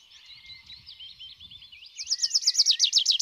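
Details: Tree pipit song: high-pitched, a varied twittering opening into a loud run of fast, rapidly repeated motifs, about eight notes per second, in quiet surroundings.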